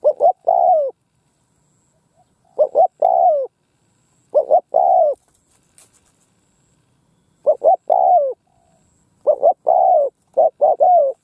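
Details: Decoy spotted dove cooing resoundingly over a field in Vietnam to lure wild doves: six rhythmic three-note phrases, paired short coos followed by a longer falling coo, with brief gaps.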